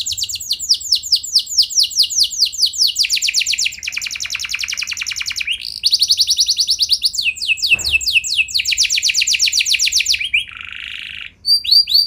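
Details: Long varied canary song meant to provoke rival canaries to sing: continuous chains of rapid trills shifting between high and lower pitches, with a dense rattling section and a short buzzy burst near the end.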